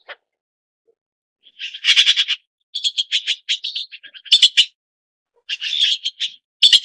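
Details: Red-billed blue magpie, also called Chinese blue magpie, gives bursts of harsh, rasping, high-pitched notes in quick series, broken by short pauses, with brief silences between the groups and no other clear sounds.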